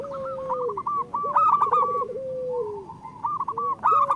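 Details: Local zebra dove coos in long level notes broken by a quick rolling trill, then a falling tail. The song is played to stimulate quiet or moulting birds. Sharp, higher calls from other birds burst in at intervals.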